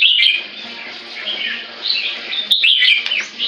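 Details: Very loud captive white-rumped shama with an almost eight-inch tail, delivering clear ringing whistles and fast warbled phrases that rise and fall, with one sharp click midway and faint low hum behind.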